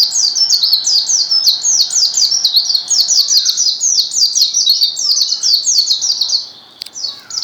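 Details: Rapid, nonstop white-eye song of high-pitched downward-sliding chirps, tightly packed and energetic, fading out near the end of the recording.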